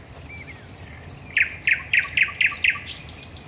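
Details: Thrush nightingale at night, Raszyn Ponds, Poland, 10 May 2021: four high piping notes followed by six evenly spaced, loud knocking strokes, ending in a high thin note.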